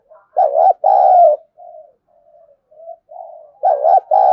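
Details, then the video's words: Contest cooing by a spotted dove, thổ sấm voice, meant to provoke a fight: a loud doubled note and long coo, a run of soft wavering coos, then the loud two-part phrase again. "tiếng chim cu gáy thúc đấu vấy bổi nghe nhanh gáy và gấy ức chế cao"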